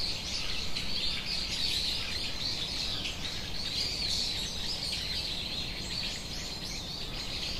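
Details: Australian king parrot in eastern Australia, wild local bird going about its day; rapid, irregular high chirps repeated several times a second, mixed with constant outdoor ambient noise.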